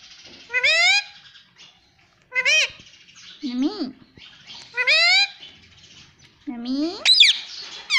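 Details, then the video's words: Talking pet parrot, noted for "mitthu" and "mummy", repeats clipped, harmonic, word-like calls roughly every one to two seconds, some descending, one ending in a higher squeal. "Me tota me tota bolne wala tota - batuni sheetan tota - batuni tota"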